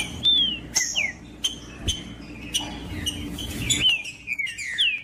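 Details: Green-winged saltator song played to warm up a cold trinca-ferro: spaced, loud whistled notes that slide down in pitch, a few brief high notes, sharp clicks between phrases, and a soft hum underneath.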